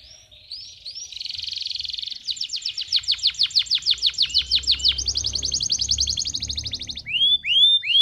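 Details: Male canary singing strongly, excited, to train young canaries and stimulate females: a loud high song of rising whistled notes, then rapid buzzy trills pulsing about three times a second, ending in upward swept whistles.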